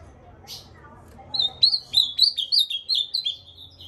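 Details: Whistled song of an ultramarine grosbeak, a soft chip and then a lively string of around nine slurred notes, each bending down, delivered steadily over about two and a half seconds.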